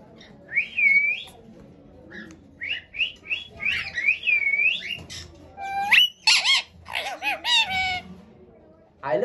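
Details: A pet rose-ringed parakeet talks, chattering "I love you baby" in high, squeaky talk-like phrases, then gives sharp rising squawks and whistles; faint background hum.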